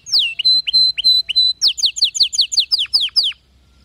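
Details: Canary song meant for teaching canaries that do not sing or sing weakly: clear falling whistled notes repeated several times a second, then a faster run of descending sweeping notes, ending abruptly.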